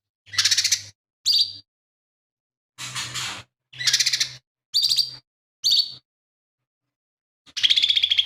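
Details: Singing lesser green leafbird, its song full of imitations including gereja tarung, tengkek buto and cililin, kept as tutor material for other songbirds: seven separate harsh, buzzy high bursts with pauses, the last a rapid trill.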